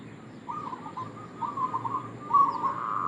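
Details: Local zebra dove, male, used as a lure call for trapping: soft warbling coos around one pitch, a short phrase then a longer rolling one, ending in a louder trilled burst.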